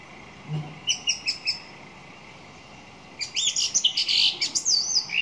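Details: Song thrush singing: a clear, high note repeated four times in quick succession, a brief pause, then a rapid, varied run of bright, scratchy chirps and whistles, over a faint low background hum.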